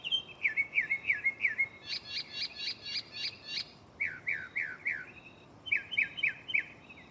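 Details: Mockingbird singing at night from a tree right next to the recorder, switching phrases rapidly: repeated slurred chirps, then a burst of harsh buzzy notes, then more downslurred whistles in quick series.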